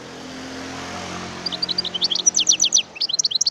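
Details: Wild European goldfinch song rising out of steady low engine-like rumble: a quick twittering series of high, sharp chirps and trills after a noisy opening second.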